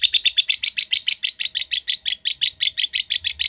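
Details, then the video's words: Ngetik-style lovebird chattering in a fast, even rattle, about six notes per second, each note a shrill, buzzy pulse, sustained without pause throughout. "Love Bird Ngetik Cara Cepat Memanggil Love Bird Agar Ngekek Panjang"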